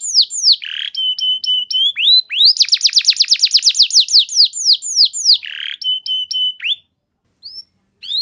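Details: Canary singing a lure song for training, sweeping whistles mixed with short flat notes, a fast rolling trill mid-phrase, then pauses and brief final notes.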